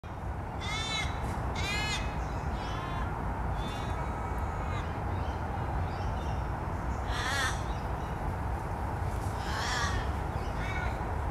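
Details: An Australian raven at Olympic Park, Sydney, Australia, in November 2014 gives harsh, drawn-out caws with a falling, wailing end, about six over eleven seconds, above a steady low rumble of traffic or wind.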